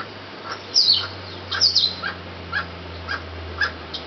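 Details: Emerald toucanet (Aulacorhynchus prasinus) at La Cinchona, Alajuela, Costa Rica, in February 2013, giving harsh, scratchy croaks, loosely repeated about once a second, over a faint low hum.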